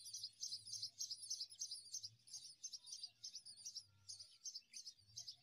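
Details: Common mynas feeding newborn chicks in the morning give high, squeaky chirps in quick bursts, about three a second, over a faint low hum; common myna (Acridotheres tristis) calls.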